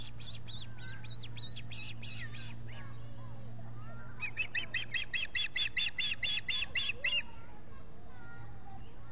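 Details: Three ospreys at their Salt Point nest, Finger Lakes, US, filmed on 19 July 2021 by a solar-powered camera, give two bursts of rapid, shrill repeated chirps. The first lasts a few seconds, then comes a pause and a longer second run.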